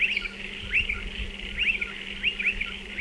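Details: Striated pardalotes calling near their nesting burrows dug into a dry stone wall: high, bright upswept chirps in quick doubled bursts, about every three-quarters of a second, over a faint low steady hum.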